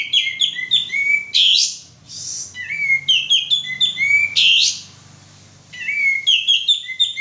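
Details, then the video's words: Male sooty-headed bulbul lure song meant to prompt other birds to sing: rapid chains of clear whistled notes with loud buzzy bursts between phrases, roughly nineteen phrases a minute, over a faint low background hum. "suara pancingan burung kapas tembak jantan gacor"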